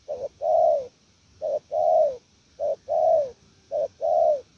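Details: Spotted dove, a wild-caught bird, repeating its 'gù lèo nước' coo four times: a short two-part note followed by a long, rich, downward-curving hoot, steady and evenly spaced.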